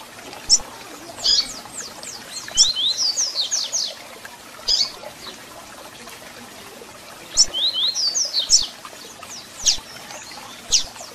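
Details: Song of a double-collared seedeater, meant to stir up and warm up a kept bird: two bursts of fast, high, slurred whistles separated by several seconds, with scattered single chirps between phrases and light background hiss.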